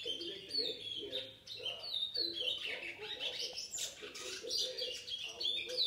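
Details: Seven-month-old chestnut-bellied seed finch of the brown form, recorded in August 2019, delivering continuous rich warbling with quick sweeping notes and short trills in bursts roughly every second.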